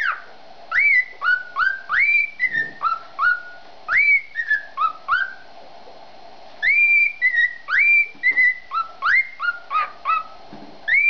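A male cockatiel sings a courtship serenade of clear, rising whistles in quick repeated phrases.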